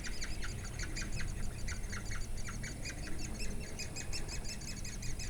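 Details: Woodpecker chicks being fed by their parents in Durmitor National Park, 6 June 2017: a continuous stream of thin, sharp chirps, several per second, forming an insistent chatter over a steady low rumble.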